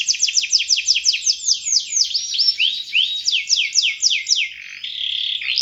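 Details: Canary singing a fast series of downslurred whistled notes, then looping slides and a steady high buzzy tone at the end, loud and continuous.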